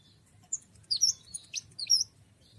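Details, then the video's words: Cikrak daun, also called tralis, a leaf warbler: a few sharp, high chirps and short twittering notes in quick succession over about two seconds, with quiet background. "Burung cikrak daun atau burung tralis"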